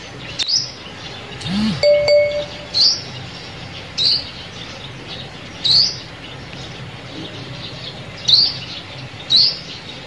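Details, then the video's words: Sunbird call used to lure birds for trapping, with a series of about seven sharp, high rising notes at irregular spacing; a short metallic ding sounds near the start. "Tiếng Chim Hút Mật Mồi Kích Bổi"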